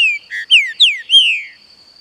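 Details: Captive green-winged saltator delivering a loud whistled song phrase. A short low note is followed by three strong downslurred whistles, the final one drawn out and fading, with a constant thin high hum in the background.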